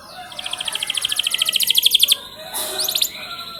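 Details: Canary song used as a training lure to get canaries singing: a bright, high, accelerating trill of about twenty rapid repeated notes lasting under two seconds, followed after a brief gap by a second, shorter trill.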